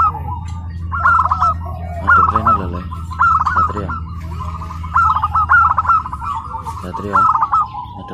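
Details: Tame, house-kept local wild-type zebra dove singing at its first practice contest at PLN Karawang, Indonesia: repeated warbling cooed phrases with rapid trilled notes, roughly once a second, over a steady low hum and some voices.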